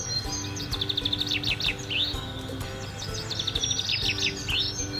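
Eurasian Bullfinch song: quick runs of high chirping and twittering notes in two bursts, over a steady low hum.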